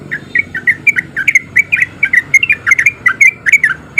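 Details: Rapid 'ropel' song of a male sooty-headed bulbul, played as a lure so other bulbuls start singing: a steady stream of bubbly, slurred chirps, some doubled, with a faint low rumble behind.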